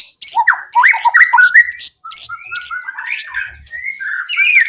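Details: White-rumped shama song used as a lure to prompt other birds to sing: varied whistled phrases, rising and falling slurs and quick chattering notes, a brief pause midway, then softer warbling runs.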